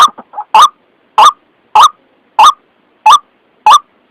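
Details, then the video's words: Trapping lure of a white-breasted waterhen: a few quick stuttering notes open, then loud, harsh, rasping calls at an even beat of roughly one every 0.6 seconds against silence. "Suara pikat ruak ruak paling jitu"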